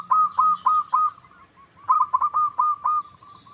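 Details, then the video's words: Zebra dove lure call meant to prompt a rival to reply: two runs of rhythmic, rolling coos, each of four to six quick notes, separated by a short pause; faint high twittering of other birds. "Pancingan PERKUTUT LOKAL Agar Bunyi"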